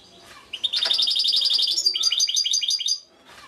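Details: European goldfinch (trnan) from Šuto Orizari giving a fast run of bright, repeated tinkling notes, shifting to a slightly lower chattering series before stopping abruptly.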